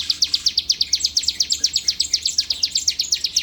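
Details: Bar-winged prinia (ciblek), a prized bird from Palembang, pouring out quick high chirps, nearly eight every second, each note a short downward flick, with some overlapping higher notes.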